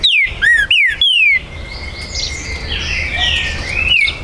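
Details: Green-winged saltator kept by a breeder, recorded 19 September 2020, territorial song: four loud descending whistles in a rapid burst, followed by a background of soft twittering from other birds.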